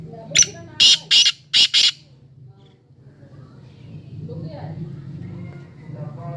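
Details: Male black francolin giving its breeding call: four loud, harsh, grating notes in quick succession over about a second and a half, followed by low murmuring voices and a steady background hum.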